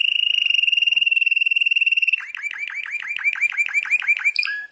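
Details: Champion canary singing: a long rapid trill held level for two seconds, then a series of fast descending swooping notes repeated about three times a second, ending in bright high chips.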